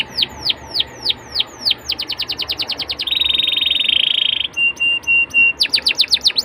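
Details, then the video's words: Canary song meant to coax young canaries into singing: spaced downward slurs speed into a quick trill, then a sustained buzzy note, steady clear tones and a final burst of rapid slurs. "PANCINGAN KENARI MUDA AGAR CEPAT BUNYI DAN GACOR CENGKOK ENAK! kenari Manapun akan langsung nyaut"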